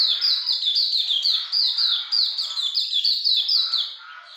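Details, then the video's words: Hume's white-eye singing vigorously in the ngalas longgun style: a fast, unbroken run of high, thin, downslurred chirps, each dipping from a sharp peak, tumbling on without pause for the whole stretch. "Pleci Auriventer gacor ngalas longgun"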